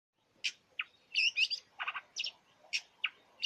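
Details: Long-tailed shrike singing a varied mimicking song: quick bursts of chirps, whistles and buzzy notes, each phrase different, with short pauses between.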